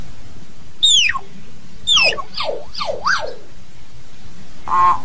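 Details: Singing to call the flock, a hill myna gives a falling whistle, then a rapid zigzag series of whistled notes dipping and rising about three times, ending with a brief nasal harmonic tone.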